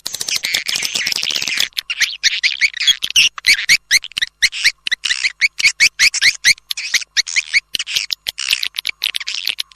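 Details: Swiftlet-attracting call of the edible-nest swiftlet, as used by swiftlet house owners: a thick stream of high, buzzy twitters and chirps with short gaps, continuous over ten seconds.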